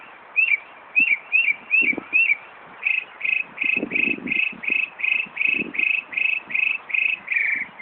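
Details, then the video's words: A Northern Mockingbird at Buckland Park, Brighton, NY, mimics a car alarm with a fast run of short whistled chirps, then about fifteen even whistles, nearly three per second; it is near an ambulance station, so it may imitate ambulances too. "Northern Mockingbird mimicking car alarm"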